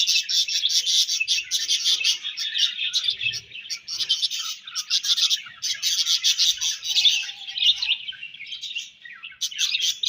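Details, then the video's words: Pet budgerigars chirping in a dense, continuous chatter of quick, high scratchy warbles and tweets. The notes overlap almost without pause, with brief dips in loudness now and then. "Budgies Chirping Sounds"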